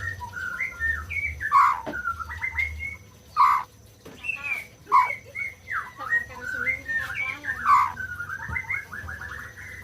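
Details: White-rumped shama song, played to stimulate silent birds to sing: varied whistled phrases, some sliding and some warbled, broken by several sharp loud clicking notes, with a faint low hum beneath.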